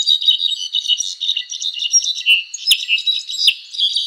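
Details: Cabanis's tanager (azure-rumped tanager) giving a fast, jumbled stream of high twittering chirps, loud and continuous, broken by two sharp clicking notes late on.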